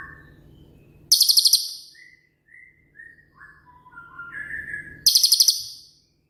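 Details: Shooting-type cililin singing as a master for training songbirds: soft scattered whistles, some short and rising, between two loud, very high rattled bursts of six or seven quick notes.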